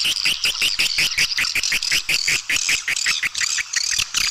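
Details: Edible-nest swiftlets heard in a lure recording for attracting them to roost and nest: fast, rhythmic series of high chattering chirps, roughly three per second, steady and buzzy throughout.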